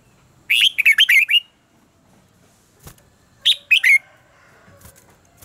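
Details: Red-whiskered bulbul singing in contest style for training: a lively phrase of quick, liquid whistles, a pause, then a shorter three-note burst ending in a downslurred whistle.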